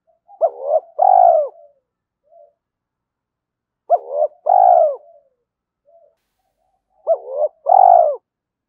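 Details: Spotted dove cooing at dawn to spur fighting and lure: a two-part phrase of a short note then a longer rounded coo, given three times about every three seconds, with faint soft notes between.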